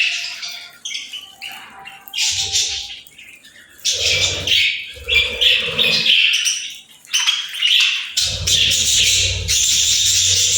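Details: Budgerigars chirping playfully: dense, busy chatter of high warbled notes and short squawks, with soft low thumps underneath and brief pauses between bursts.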